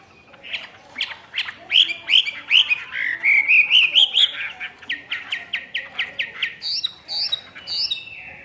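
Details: Chinese hwamei, a caged bird from Vietnam, delivering a fast string of repeated bright whistled notes that climb and fall, ending with high upward-slurred whistles.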